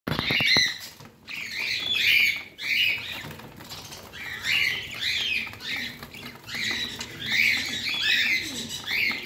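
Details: Pet parrot giving bursts of bright, scratchy chirps in clusters, roughly every couple of seconds, with brief pauses and a faint low hum behind.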